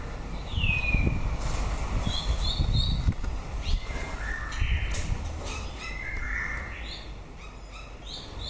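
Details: End-of-breeding-season song from a white-rumped shama. A high whistle drops sharply, followed by short paired notes and varied slurred whistles, with soft thumps and low rumbling behind.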